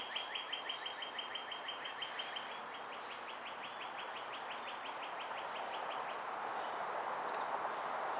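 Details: Two young Bald Eagles calling from their nest at Ft. Hunt on May 23, 2015; a long, fast chatter of sharp, high piping notes, roughly five per second, slowly fading over six seconds into steady hiss.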